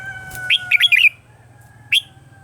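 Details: Red-whiskered bulbul giving a quick, lively, warbling phrase of several bright slurred notes, then a single loud note a second later. It is a Vietnamese morning-song decoy for voice training, with a faint steady tone and low hum behind.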